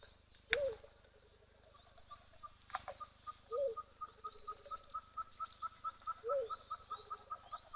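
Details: African mourning dove at an African waterhole on 20 February 2025 giving short, low, rolling coos about every three seconds, while another bird repeats a steady, higher piping note several times a second.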